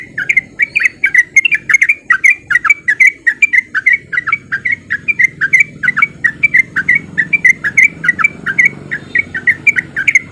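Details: Breeding male sooty-headed bulbul, a lure to get other bulbuls singing; ten seconds of fast, unbroken ropel song, bright slurred notes tumbling about four per second, with steady low background noise.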